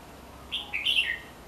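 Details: Single brief phrase from a red-whiskered bulbul seen around the home: quick warbled whistles, one clear note followed by a tumbling bubbly flourish that falls at the end, over a faint constant background hum.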